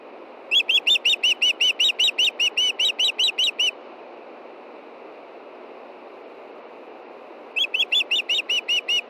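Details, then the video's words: Montana osprey female at her nest on a June evening before dark, soliciting fish from the nearby male: two bursts of rapid, shrill whistled chirps separated by about four seconds of low steady hiss. "IRIS CALLS FOR FISH AND STAN DELIVERS!"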